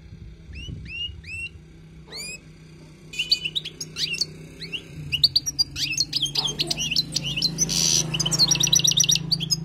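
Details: Wild European goldfinch song for tutoring: a few thin rising whistles, then quickening twittering chirps and a buzzy burst, over a steady low background hum.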